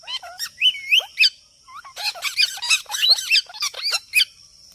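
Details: Talking parrot in its natural voice: chattering, speech-like run of sliding, warbled syllables, a brief pause, then a denser burst of harsh, squawky mimicry; faint continuous high tone underneath.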